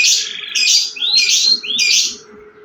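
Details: Canary singing loudly: bright, high whistled phrases, each a rising sweep into a sharp trill, repeated about every half second in quick succession.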